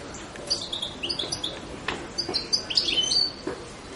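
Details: European goldfinch calls: scattered high, thin twittering notes and short tinkling trills, coming in loose bursts with brief pauses between them.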